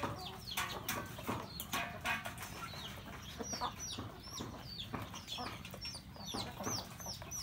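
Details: Chickens kept at a rural home, including roosters and a hen, eating breakfast; thin upswept high peeps repeat over scattered clucks and sharp pecking sounds.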